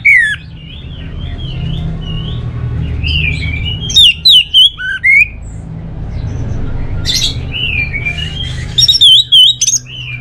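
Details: Kept orange-headed thrush singing clear, high, looping whistles with several loud, crisp bursts of quick notes between phrases. A constant low humming drone sits beneath the song.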